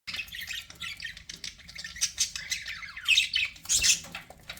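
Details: Pet budgerigars chattering: dense scratchy warbles and squawky chirps, bursts rising in loudness toward the end, with a faint low hum underneath.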